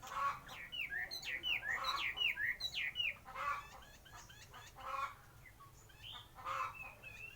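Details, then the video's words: Chinese hwamei, praised as the finest singer of the area, delivering quick runs of varied slurred, bouncing whistles, many rising and falling, in bursts over the first three seconds and again later, mixed with lower clucking notes and faint voices. "Hào mi hót nhất mường"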